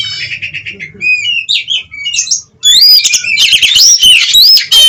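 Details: Oriental magpie-robin 'gacor' song for stabilising breeding drive and emotion: soft twittering and short whistles, a brief pause, then a sudden loud burst of harsh buzzing, rattles and high swooping whistles.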